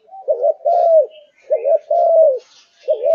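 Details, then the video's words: Spotted dove of the Malaysian type, a kept bird in full singing condition, repeats a low two-part coo: a brief wavering note followed by a sustained, falling hoot, cycles coming about every second and a quarter with no other sounds. "Cu Gáy Malaysia Căng Lửa, Chơi Từ Sáng Tới Tối"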